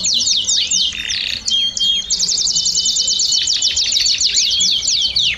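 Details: Group of domestic canaries singing at once, rapid high chirps repeated about three per second over rolling trills, with a brief lower buzzy burst near the start, a crowded chorus.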